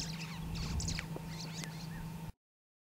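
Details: Superb starlings in Samburu Reserve, Northern Kenya, give a quick jumble of squeaky, chattering and whistled notes over about two seconds, with a steady low hum underneath.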